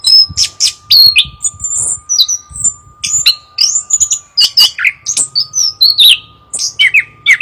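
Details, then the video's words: A Chestnut-capped thrush sings a fast, loud run of varied high whistles, chirps and trills in quick phrases, over a steady faint electrical hum. "burung anis kembang suara emas loud noise bird"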